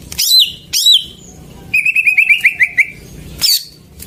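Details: Lure song of a greater green leafbird for getting silent birds to sing: two loud down-slurred whistles, a rapid string of bright chips, then another high sweeping note, with a quiet background.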